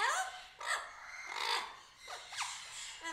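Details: A sulphur-crested cockatoo (Cacatua galerita) visiting an Australian backyard in the afternoon gives harsh, raspy screeches in several overlapping bursts over three seconds, mixed with a few brief rising squeaks; it was mostly quiet and observant.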